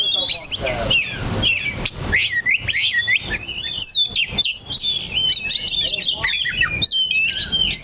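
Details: Single oriental magpie-robin (kacer) fixed on one perch, singing loud varied phrases: high sweeping whistles, quick repeated chips and fluttering trilled notes, almost continuous.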